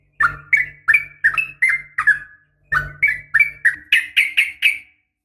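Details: Female yellow-vented bulbul calling to the male, a training recording for caged birds: about a dozen bright slurred chirps rising and falling, in two runs split by a short pause, over a faint low hum.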